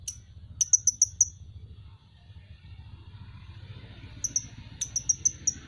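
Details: Van Hasselt's sunbird (kolibri ninja) recorded as a masteran tutor track: two bursts of rapid, very high, sharp chirps, four to five notes each, separated by a quiet gap over faint low rumble.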